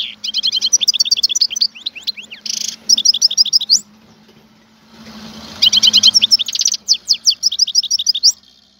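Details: Wild Algerian goldfinch singing: bursts of quick liquid twitters and rattled trills, a short gap with soft background hiss midway, then the sparkling phrases resume at high pitch.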